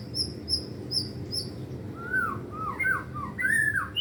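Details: Caged white-rumped shama (murai batu) in training, repeating a high thin whistle four times, then lower looping whistled phrases and rich slurred notes, against a low hum.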